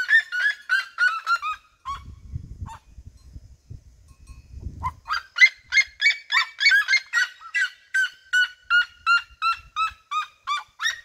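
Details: A flock of red-legged seriemas in open fields of the region surrounds the recordist singing; a burst of yelps, a lull with low rumbling noise, then a long, steady series of loud barking notes from multiple birds.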